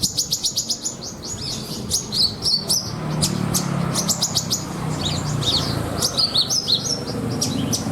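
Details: Caged Horsfield's bush lark, prized for its rich mimicked fill material and suited to bird-singing contests, delivers rapid bursts of sharp, high chirps and buzzy trills, densely repeated, with a low hum beneath.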